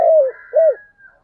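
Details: Spotted dove lure call, played in the morning to bring wild doves near: two low mellow coos, the first drawn out and falling, the second short and arched.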